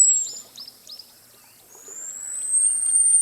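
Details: Costa's hummingbird: a high, thin whistle fading out, a few soft chips, then another long whistle rising gradually to a sustained piercing tone.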